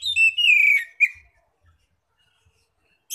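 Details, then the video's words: Oriental magpie-robin in loud, open 'ngeplong' singing, used as a lure to call other magpie-robins: a run of clear whistled notes sliding downward over about a second, then one short note and silence. "pancingan Kacer bikin gacor"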